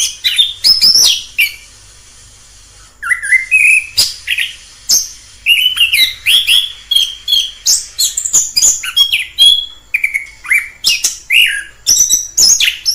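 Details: Wild orange-headed thrush in full song, pouring out fast, varied phrases of sweet whistles, sliding notes and sharp high chips, with a brief pause near the start before a long continuous stretch.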